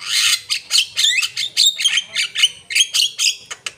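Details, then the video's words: Loud Asian pied starling song of harsh, rasping squawks repeated in quick succession, mixed with a few thin whistled notes. "jalak kebo gacor"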